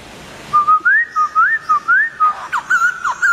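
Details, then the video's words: Poksay Thailand laughingthrush in full, active song (gacor): repeated whistled phrases that slur up and fall back in a loose rhythm, closing with rougher, sharper notes. "Poksay Thailand Gacor"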